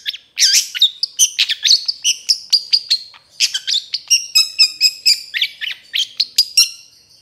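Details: Long-tailed shrike song used as a tutor recording for training other shrikes: a fast, loud stream of varied high chirps, trills and whistled slurs, densely packed and with barely any pause, on a quiet background.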